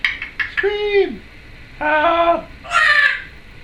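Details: A female Timneh African grey parrot, about a month in her new home, gives three harsh, voice-like calls, the first sliding downward and the last higher and raspier, while her owner coaxes her to scream and speaks faintly nearby.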